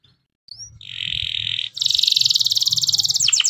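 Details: Morning canary song to prompt other canaries into song: a short high whistle, a buzzy sustained note, then a loud dense rattling trill ending in quick sweeping notes.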